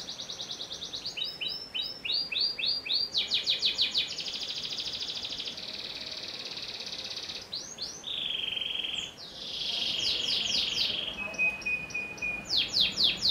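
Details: Panda canary, no bars, singing an extended varied song: quick chirped trills, a long buzzy rattle, short whistled tones and a thin steady whistle before renewed fast trilling.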